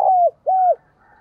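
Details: Two clear arched coos from a decoy spotted dove calling to attract wild doves, each about a quarter second and falling at the end, followed by a faint trailing murmur.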